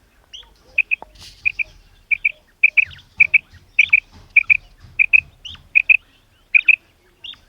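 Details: Female common quail calling: clean, sharp double notes. The pairs come at irregular intervals against a quiet background with faint low rumble.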